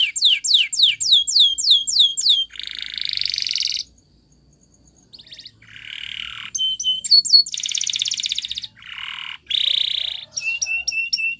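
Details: Training song of a Spanish Timbrado canary, with repeated descending whistled notes, a harsh buzzy rattle, a short silence, then varied trills, metallic ringing phrases and bursts of buzzing.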